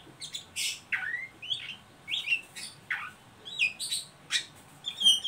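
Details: An Oriental magpie-robin's ngeriwik call, played to stimulate young birds to sing: repeated downslurred whistles paired with harsh high scratchy notes, about one phrase per second, clean quiet background.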